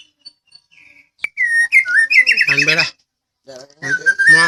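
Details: White-rumped shama (murai Medan) in song used to make other birds reply: soft thin whistles build into a loud, rich rising-and-falling warble, a brief pause, then another strong whistled phrase.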